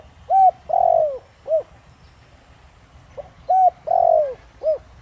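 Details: Thổ Đồng-style spotted dove coo meant to provoke wild doves into answering. A pair of matching phrases runs short hoot, long descending coo, brief closing note, with a soft background hum between them.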